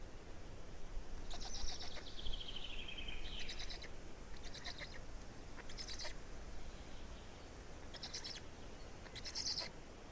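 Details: Black stork chicks recorded in Estonia on 18 May 2019, the day of the fourth chick: a long whistle gliding steadily downward, then scattered short buzzy bursts separated by pauses.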